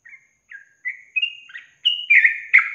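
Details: Yellow-vented bulbul (trucukan) giving a long-trill 'ropel panjang' style song for songbird training: clear whistled notes, some flat, some dipping, rising into louder, richer bubbly phrases toward the end, no other sounds.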